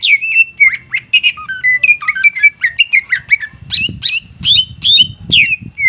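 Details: Greater green leafbird in vigorous song: a fast, unbroken stream of varied whistled notes, slurred up and down, interspersed with harsh chattering squawks and sharp clicks, with low rumbling background noise.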